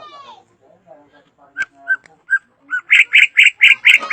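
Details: A drongo's varied song starts with soft notes, moves to a few spaced clear chips, and builds into a loud, rapid run of harsh repeated notes.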